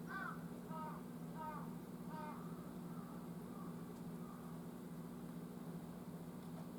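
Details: Large-billed (jungle) crow at 11:50 on 18 October gives four hoarse caws in quick succession, then several fainter drawn-out caws, over a steady low mechanical hum; its crowing makes a wary animal hide.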